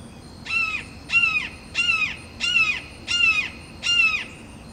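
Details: Red-shouldered hawk calling from a perch against rival hawks, six strong descending squealing notes in an even series, one roughly every 0.7 seconds, each harsh and harmonic-rich, with quiet steady background noise.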